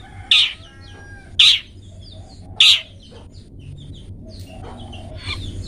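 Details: Long-tailed shrike, a captive bird used as a model for teaching pet birds to sing in the 'toet toet' style: three loud, harsh, buzzy bursts about a second apart, then fainter rasping notes over a low steady hum.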